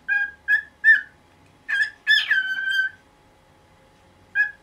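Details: Pet cockatiel in its nineteenth year calling in the morning so the cloth over its cage will be removed. A few separate squawks, then a harsh, longer drawn-out screech, silence, and one last short call.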